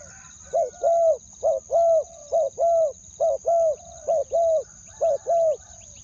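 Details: Spotted dove calling as a decoy to lure wild doves, in two-word ku-ang style: soft low coos in pairs, a short note then a longer level one, about six pairs. A thin steady high whine continues throughout.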